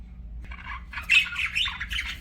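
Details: Pet budgerigars warbling: a short burst of scratchy, chattering squawks and chirps that starts faint, then grows loud and busy, with a low steady hum underneath.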